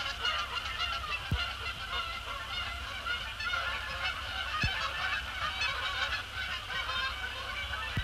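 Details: Resident and migratory Canada Geese flying in after sunset to land on Sapsucker Woods Pond, December 2, 2017; a flock gives loud, continuous overlapping honks throughout, with a few sharp thumps over a steady low background rumble and a high hum.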